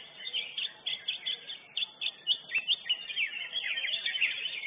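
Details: Competition-winning lesser green leafbird at a bird-singing contest: a string of separate high downslurred whistles, roughly three a second, runs into a busier, twittering warble near the end.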